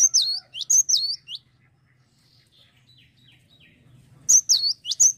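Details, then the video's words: Cinereous tit singing energetically: bright, high whistled phrases of quick down-slurred notes in rapid clusters. A bout at the start, a near-silent pause with faint distant twitters, then a second burst of the same slurred notes. "GELATIK BATU LAGI GACOR"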